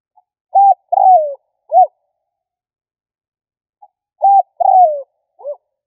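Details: Spotted dove call used to provoke or lure birds: two cooing phrases about four seconds apart, each a faint pip, a short flat coo, a longer falling coo and a short final coo, with silence between.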